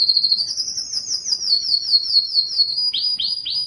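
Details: A yellow canary sings a very high, clear series of rapidly repeated whistled notes gliding slightly upward and then down. It finishes with three separate sweeping downslurs.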